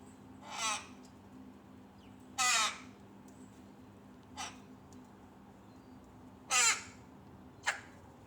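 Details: Tame rook chick pestering its mother for food: five harsh, rasping caws at uneven gaps, some long and grating, others short and clipped, over a quiet background with a faint low hum.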